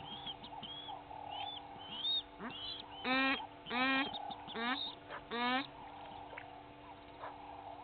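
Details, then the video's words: Two Egyptian goose families clash at a waterhole on Djuma Game Reserve, Sabi Sand Wildtuin, South Africa, early morning, 18 April 2019. Harsh, rapidly pulsed honks come in four loud bursts about one second apart, over distant chirping birds. "Two Egyptian Goose families fighting"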